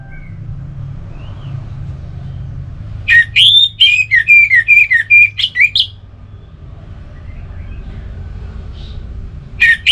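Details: Relaxed song from an orange-headed thrush: a loud two-and-a-half-second flurry of slurred whistles and sharp twittered notes, falling in pitch, then quiet hum and the start of another phrase.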